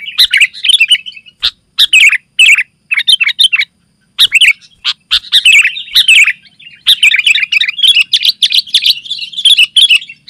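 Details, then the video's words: Sooty-headed bulbul in nonstop 'gacor rapat' song meant to draw other bulbuls and tutor birds: rapid bubbly chirps and twittering phrases in bursts, with a short gap before four seconds and a long dense run to the end. "Suara Burung Kutilang Gacor Rapat Menekan Lawan"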